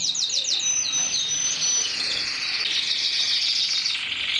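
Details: Mosaic canary singing: rapid, high-pitched trills and downward-sweeping chips, then a long thin whistled note that dissolves into a dense, continuous rolling warble, steady and loud throughout.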